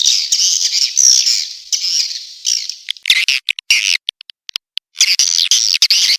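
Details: Attraction call for swiftlets named Tombak Raja: three seconds of loud, continuous high twittering, then a gap of sparse, sharp ticks, before the buzzy chatter resumes strongly at the end.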